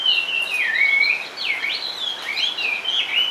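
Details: Caged Chinese hwamei, a large sleek bird said to sing while perched firmly, gives loud clear whistled song: sweeping slurred notes rising and falling between phrases, continuous and varied, with faint background noise.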